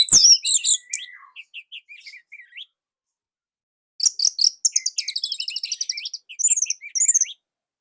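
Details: Orange-headed thrush from Indonesia, master song for training: sharp high notes, a long level whistle and scattered squeaks, a pause, then fast high chattering trills and buzzy repeated notes.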